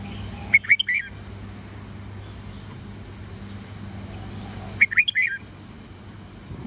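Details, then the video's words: Red-whiskered bulbul 'old forest voice' morning song of 8 to 10 notes, for training young birds: two brief bursts of three or four sharp whistles about four seconds apart, over a low steady hum. "Luyện chào mào hót sáng GIỌNG GIÀ RỪNG âm 8-9-10 cực chuẩn"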